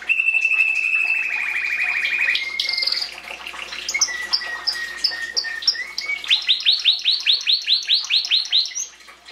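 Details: Canary singing a long steady trill, then a lower sustained trill, finishing with a loud series of rising sweeping notes repeated about twice per second.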